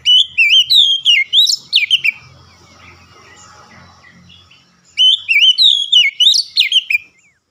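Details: Oriental magpie-robin, a kept bird, singing two loud bursts of fast whistled notes, wavy and sharply slurred, with a quiet interval of about three seconds between them.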